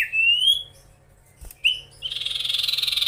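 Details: A common iora, known locally as sirtu or cipoh, gives a long rising whistle, a short upslurred note, then a rapid pulsed buzzy rattle, sung to provoke rival birds.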